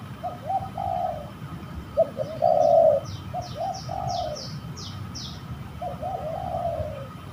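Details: Spotted dove heard in Indonesia while fighting, recorded on a trapping outing; repeated mellow coos in short groups, one strong sustained note, with faint high chirps from another bird above.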